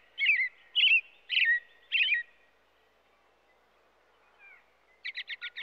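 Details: Robin singing four loud, whistled, warbling phrases about half a second apart, then a pause and a quick burst of five short, sharp repeated notes, in an otherwise quiet setting.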